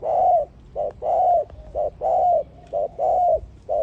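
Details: Dove cooing in clear, low, hollow notes. Long slurred coos alternate with short clipped ones, about one pair per second, in a steady rhythm with no other sounds.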